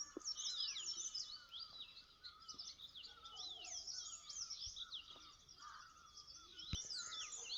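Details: Several birds chirping on a morning in a home garden, a dense overlapping mix of high twittering and squeaky chirps with a steady lower whistled tone, plus a few faint clicks.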